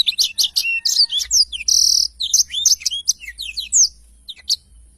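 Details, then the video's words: Black-throated canary in full 'gacor' song, played as tutor material for training cage birds: fast tumbling high whistles broken by a dense buzzy trill near the middle, fading to a few scattered notes at the end. "blacktroath gacor cocok untuk masteran"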